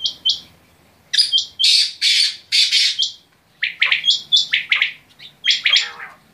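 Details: Quail (batair) calling in sharp, high chirped notes, delivered in dense bursts separated by short pauses, with some clear, flat whistled notes mixed in.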